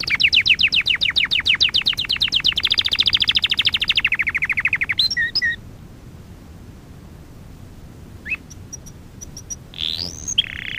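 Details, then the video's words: Canary song from a lesson recording meant for training young canaries: a long, fast rattling trill that slows and lowers toward its end, followed by quiet with a few scattered chirps and a short whistled flourish. "Kanarya Ötüşü - 1 (Eğitim - Ders Cd'si) / Canary Singing - 1 ( Education - Lessons Cd )"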